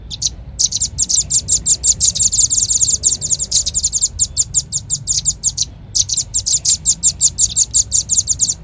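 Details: Velvet-fronted nuthatch calling to lure birds: sustained rapid high chips in long rattling bursts, with two short breaks, over a soft low background.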